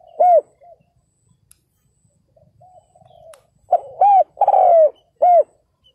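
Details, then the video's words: Spotted dove decoy calling to draw in wild males: a single arched coo, faint far coos in between, then a full phrase of short note, arched hoot, long falling coo and closing arched hoot. "CHIM CU GÁY MỒI ĐẤT KÍCH BỔI CỰC SUNG"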